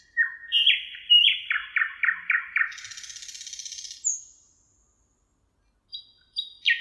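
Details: Thrush nightingale singing along the Emajõgi river in Tartu, Estonia, 1 June 2018: loud descending chopping notes repeated about six times, a buzzy churring trill, a high slurred whistle, then brief sharp notes after silence.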